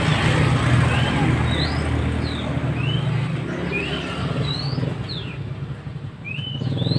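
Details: Mantenan song from a training recording: clear whistled notes, some rising and some falling, given every second or so over a loud, steady low rumble of traffic.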